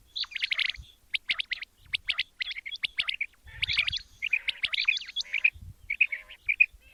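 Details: Quail sound for morning hunting, given as quick, irregular series of high chirps and short whistled notes, ending in a few evenly spaced clear pips.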